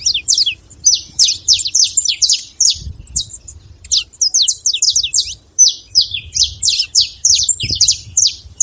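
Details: Wild saffron finch singing free in nature: a fast stream of sharp, high downslurred chirps and trills in two long bursts, with faint low background rumble.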